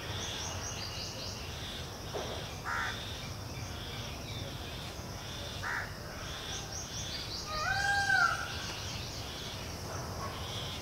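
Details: Harsh, nasal caws from an Indian house crow (kauwa) busy at its nest, feeding chicks and keeping the nest clean and intact. The calls come in short bursts a few seconds apart, with a clear whistled note near the end and steady high chirping from other birds throughout.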